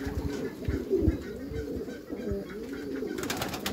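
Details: Meulemans racing pigeons in a backyard loft give low, rolling coos, overlapping soft arched phrases with faint knocks and shuffling in the background.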